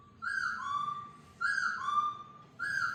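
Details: Laughingthrush freed indoors for the first time, giving loud whistled phrases that step down from a higher note to a long lower tone, repeated about every second, over a low background hum.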